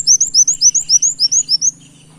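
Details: Loud, close brown-throated sunbird delivering canary-like phrases for luring other birds: about eleven crisp, high, rising whistled notes in rapid even succession lasting under two seconds, then silence apart from a low hum.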